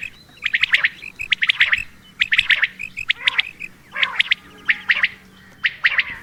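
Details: A female common quail (Coturnix coturnix) calls in short bursts of harsh, chirping notes, clustered and repeated about once a second against a quiet background.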